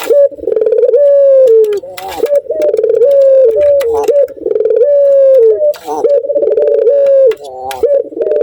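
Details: Barbary dove male, in breeding condition and excited at the sight of a female, gives a steady run of drawn-out mellow coos, each ending in a slight downward slide, with occasional sharp ticks behind.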